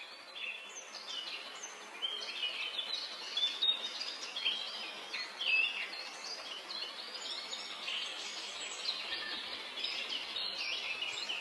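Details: Flowerpecker, known locally as cabe rawit, singing: a continuous, busy stream of high chirps, short whistles and rapid twittering notes with no clear pauses, over light background hiss.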